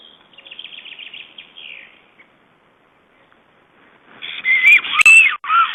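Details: Black storks at a nest in Estonia during a changeover, 18 May 2012: a rapid wavering high whistle trails off, then after near silence a loud burst of squealing, sliding whistled notes with a sharp knock among them.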